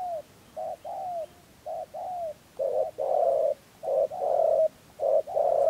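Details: Spotted dove cooing as a trapping lure in Dak Lak, Vietnam, in the rùng and gù styles: paired low hollow coos, a short note then a longer drawn one, repeated about once a second, some phrases louder and fuller.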